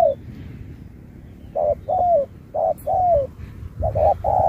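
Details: Spotted dove in a singing contest, performing the Thúc style with Bo. Low background rumble, then short-long coo pairs starting after one and a half seconds, the last ones crowding together.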